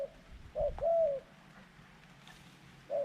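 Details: Softer, more distant cooing from a decoy dove calling to wild doves: a short coo, a longer arched coo, a pause, then another short coo, amid low rumbling background noise.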